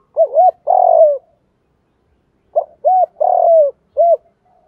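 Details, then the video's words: Spotted dove lure call used to attract and stir other doves: low hollow coos in two phrases, each a short note, a longer drawn-out falling coo and a brief closing note, separated by about a second of silence. "cu gay moi kich boi thuc gay goi boi"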